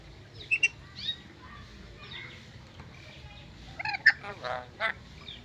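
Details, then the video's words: Captive-bred black-capped lory, an Indonesian endemic kept by a breeder, a clever talking bird that says many words. Scattered squawks, short whistled notes and speech-like babbling bursts, with a tight cluster of harsh notes near the end. "Burung Nuri Pintar Bicara Banyak Kata"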